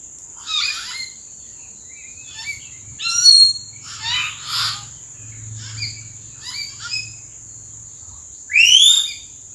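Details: Common hill mynas calling from treetops in Sri Lanka in April: varied bursts of whistles and harsh, gurgling notes, ending in a loud rising whistle, over a steady high insect whine.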